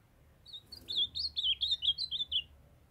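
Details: Young male ultramarine grosbeak, caged in Brazil, sings a continuous three-second warble of about ten quick high whistled notes sliding up and down, while a female calls to warm him up.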